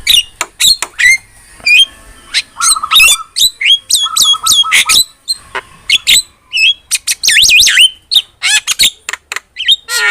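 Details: Javan myna in lively song, used to train cage birds: a long, busy medley of sharp whistled squeaks, flat nasal notes and harsh chatter, with fast wavering whistles near the end.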